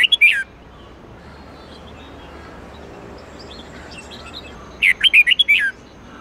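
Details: Red-whiskered bulbul giving the '8-9-10 note' twisting training song: a brief whistled burst at the start, then quiet rural background noise, then a full phrase of about seven quick looping whistles near the end.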